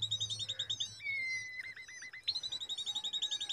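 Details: Young common babblers on a date tree give fast, even strings of high chirping notes, broken by a long steady whistle and a few slurred falling notes, then another quick chirp series resumes.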